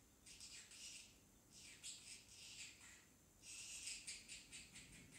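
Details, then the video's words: Pet parrotlet chick practising talk, phrases such as tickle tickle: three bursts of raspy, whispery high chatter, each lasting about a second, separated by short silences. "Parrotlet talking"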